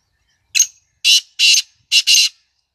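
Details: Black francolin calling: five harsh, grating, buzzy bursts in quick succession, a short first note, then two paired longer rasping notes, all within about two seconds, against a quiet background.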